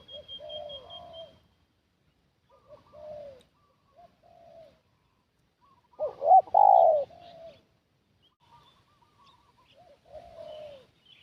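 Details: Decoy spotted dove calling to lure wild doves, soft low coos scattered through, with one strong rolling coo phrase around the middle and a faint thin whistle early on.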